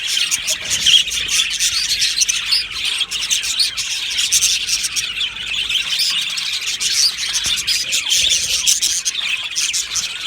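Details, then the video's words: Colony of Australian budgies in an aviary filling the air with constant overlapping chirps, bright warbles and short squeaky notes, a busy high-pitched chorus with no pauses. "Beautiful Budgie aviary chirping sounds"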